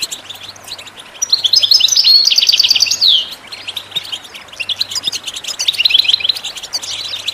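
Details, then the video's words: Goldfinch song for tutoring chicks: a bright, rapid run of high chirps and rattling trills swelling loudest in the middle, then softer scattered twitters, over a faint steady hum. "your goldfinch to sing"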